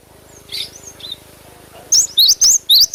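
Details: Cinereous tit singing, a natural recording used to prompt quick responses from caged birds; a few faint thin whistles, then four loud, bright, up-and-down whistled notes in rapid series at the end.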